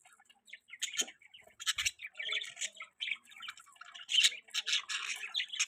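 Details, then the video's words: Budgies kept in an outdoor aviary chirp in quick, uneven bursts: short high tweets and squeaky chatter overlapping one another, growing louder toward the end. "Budgie in outdoor Avery bird chirping sounds"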